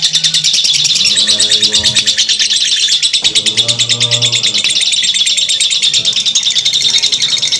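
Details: Lovebird in long ngekek chattering song, a sustained torrent of high, scratchy chirps pulsing quickly without pause for over seven seconds, over soft low humming tones.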